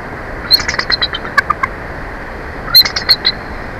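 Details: Bald eagle at its nest at Big Bear Lake during an incubation shift change, picked up by a nest camera: two bursts of high, thin, rapid chirps and squeaky staccato notes.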